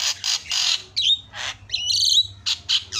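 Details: Javan myna song used as a lure to make a quiet myna sing: loud harsh rasping squawks alternating with clear twisting whistles, over a faint low hum.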